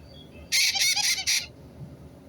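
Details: White-bellied caique parrot giving a brief harsh call of four rapid, raspy pulses in under a second, against a low, quiet background.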